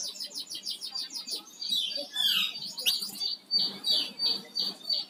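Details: Flamboyan songbird in energetic song: a fast series of high repeated notes, a jumble of slurred whistles, then short high notes repeated steadily, about one and a half per second.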